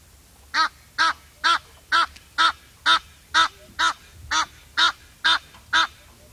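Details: Twelve harsh, buzzy honks from an Egyptian goose, delivered at a regular pace of about two per second with little variation in loudness.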